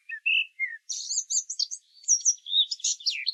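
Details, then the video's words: A common blackbird sings a fluty song of a few soft whistled notes, then a high, squeaky, fast twittering flourish, in the morning chorus along a path through open hornbeam forest. "Чорний Дріст має флейтову пісню."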